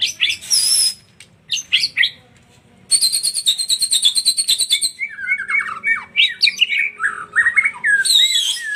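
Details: White-rumped shama on a lure track used to trigger singing: high thin whistles, then a rapid buzzy rattle lasting about two seconds, followed by wandering fluty, slurred phrases; a low hum runs throughout.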